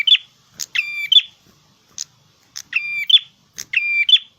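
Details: Red-headed prinia (prenjak kepala merah) singing vigorously, in the gacor style: short buzzy, harmonic phrases paired with sharp high clicks, repeated about once a second in a steady pattern, with no other sounds.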